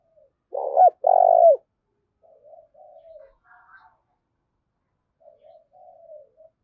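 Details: Decoy spotted dove, its call urging a rival to fight: one loud, rich phrase of a stuttered note and a long coo, followed by faint, distant-sounding coo notes and soft higher chirps.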